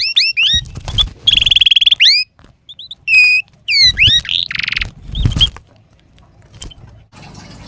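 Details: Canary singing for training lazy canaries; scattered upswept whistles, short rolling trills and chirps separated by pauses, with low thumps and a faint hiss near the end.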